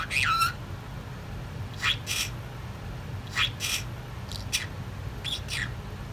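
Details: Indoor female talking budgerigar that learned to copy a sneeze. A brief whistled note opens, followed by pairs of short, scratchy, sneeze-like bursts repeated every second or so.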